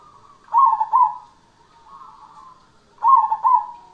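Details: Cemani-type zebra dove in active song: two loud, rolling double-pulsed coos about two and a half seconds apart, linked by a faint, wavering low coo.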